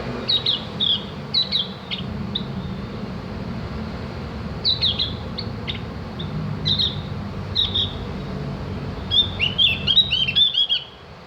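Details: Javan grey-throated white-eye, locally called cak gentong, recorded as tutoring material for training birds to sing: high, sharp chirps and quick twittering phrases in short bursts, a final busier twitter, over a steady low hum.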